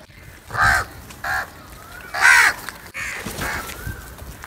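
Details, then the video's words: Crows squabbling while feeding: a run of four or five harsh, nasal caws at uneven spacing, one noticeably louder and longer. "Crow Fight video | Crow sounds and Eating Foods"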